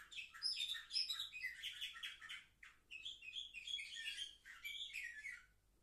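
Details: Young canaries, aged seven months, filmed 10 November 2023, sing a rapid high twittering song of trilled chirps in two phrases separated by a short break, ending in silence.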